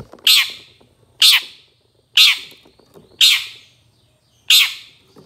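A long-tailed shrike gives five harsh, rasping squawks, about one per second, each a loud burst with a quieter tail, over faint background chatter.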